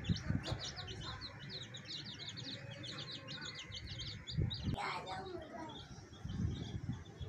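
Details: Several baby chicks beside a hen, producing rapid high-pitched peeps in a busy cluster, while low thumps and a few voice-like bursts sound underneath.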